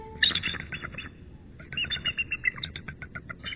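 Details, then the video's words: Bald eagles calling at midnight on 10 March, the incubating male answering his mate: high chattering series of short piping notes, a burst at the start, then a run of rapid staccato notes after a pause. "Midnight-Calls and Thrills from Attic"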